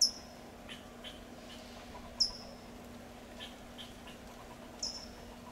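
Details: California towhee tsip calls in Del Monte Forest, California: three high, thin chips roughly every two to three seconds, with softer scattered chirps from other birds between them and a low constant hum.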